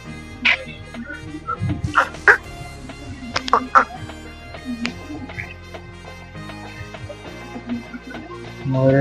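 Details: Indian peafowl in an enclosure at Gazipur Safari Park, white peafowl among them, give several loud, nasal, brassy cries in quick bursts over the first five seconds, with background music and a man talking.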